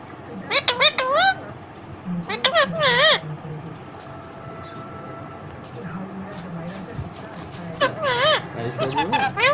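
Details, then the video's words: Pet Indian ringneck parrot talking, imitating Hindi phrases in a squeaky, nasal voice: short bursts of quick syllables with wavering pitch, separated by quieter gaps, with a deeper human voice speaking in between. "Indian Ring Neck Parrot 🦜🦜 Parrot Talking Hindi"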